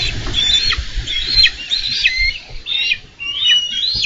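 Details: Bald eagles at a Minnesota nest on 4 July 2013 wrestle over a carp just delivered by the adult male. High, thin whistled notes slur downward in quick series, with soft low rustling beneath.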